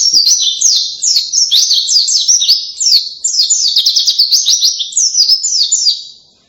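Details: Powerful canary-like white-eye song, pleci in local terms: rapid bursts of shrill, descending chirps and trills running for over six seconds, with brief dips between phrases.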